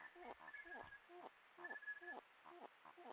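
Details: Exchange of calls between a Malleefowl pair at the season's first egg, laid 7 September 2024: low, harmonic grunting notes in short bursts, overlaid by a level, thin whistled tone from another bird.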